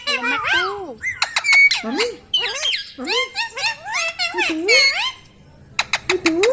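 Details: Talking pet ringneck parrot producing strings of high, squeaky speech-like words with bending pitch, a brief pause, then clipped chattering syllables.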